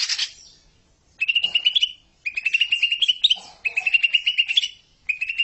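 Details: Greater green leafbird master song meant to get young birds chattering in ngekek style: a short rough note, then repeated bursts of fast buzzy trilling, each around a second, separated by brief gaps.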